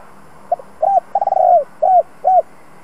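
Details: Spotted dove, a two-ending 'giọng đồng' singer used to rouse and train decoy birds: a soft double pip, an arched coo, a long rolling stuttered coo sliding down, then two arched coos.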